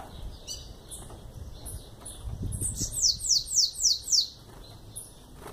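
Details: Young bananaquit, eleven months old, singing: a few thin high whistles, then a quick burst of about six buzzy, down-slurred high notes in a row, with low background rumble.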